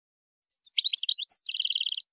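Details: European goldfinch singing a wild-style song (chant sauvage, Arabic 'khlawi'): high tinkling notes and quick twittering, then a rapid even buzzy trill of about a dozen paired notes, on an otherwise silent background.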